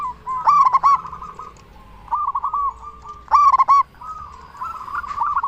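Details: Zebra dove of local stock with a big voice, calling to draw replies from other zebra doves: bursts of fast stuttering notes alternate with rolling, evenly pitched cooing phrases, repeated twice over a quiet background.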